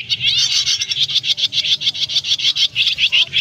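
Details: Swiftlets calling the flock to roost, used as a lure for net trapping in August 2024; quick pulsing bursts of shrill twitters repeat nearly twice a second, several birds chattering at once.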